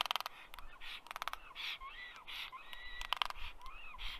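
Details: Common raven at a black stork nest tree in Karula National Park, southern Estonia, late afternoon in May during incubation: bursts of sharp rapid clicks alternating with short hoarse croaks and gurgling notes, with the upset stork nearby.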